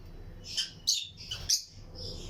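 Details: Several lutino lovebirds kept in a breeding colony aviary alongside other birds give four separate shrill, rasping chirps spaced roughly every half second over steady low room hum.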